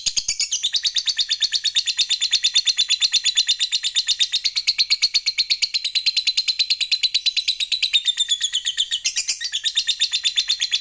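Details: Extended ngekek panjang from a lovebird fighter, the provoking long chatter: over ten seconds of rapid, even, high-pitched rattling pulses, a brief sharper flourish near the start and again near the end.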